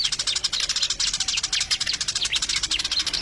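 Sparrows chirp nonstop, bright overlapping chips several times a second, like a busy flock chattering together. No other sounds stand out.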